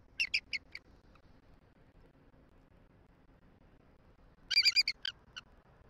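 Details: Female bald eagle at a nest in Southwest Florida, 6 November 2023, calling her mate for a shift change as the male responds: two series of high, staccato piping notes, a short series at the start and a brighter, faster one near the end.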